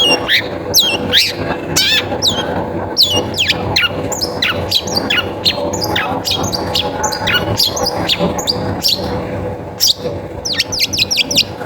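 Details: Energetic long-tailed shrike song meant to prompt other shrikes; fast runs of sharp, high descending chirps and whistles, ending in a quick cluster of downward slurs, with a low background drone.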